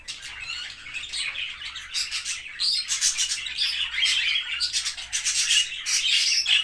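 Cockatiels give harsh, scratchy squawks and chattering chirps in quick, irregular bursts during pairing.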